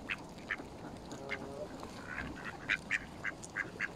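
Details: Mallard ducks feeding alongside Canada geese at Smith's Pool in Fenton, Stoke on Trent, United Kingdom, 21 November 2021, on a mobile phone. Loud, clipped nasal notes are spaced apart and then quicken into a run of about six near the end.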